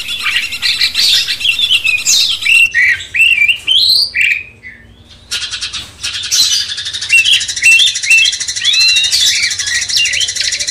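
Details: Cucak cungkok bulbul master song for stirring a magpie-robin: loud squawky chirps and swooping whistles, a short silent gap, then further hooked twitters over a steady high pulsing hiss.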